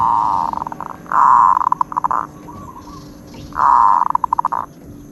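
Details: Zebra dove with a fine 'od' song: three phrases of even, buzzy, purring trill, each breaking into rapid clipped notes, separated by short pauses with soft trilling between.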